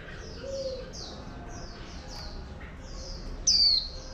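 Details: Wild-caught female oriental white-eye, kept to stimulate male birds to sing, uttering soft, high repeated down-slurred twitters in a chattering run, then one sudden loud, sharp whistled note near the end. Faint low cooing behind.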